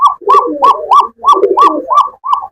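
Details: Indoor cooing from Rajgolla and fancy pigeons housed with their chicks on a Gazipur, Bangladesh farm: steady back-to-back rolling coo notes, roughly three per second, layered over softer, deeper gurgles.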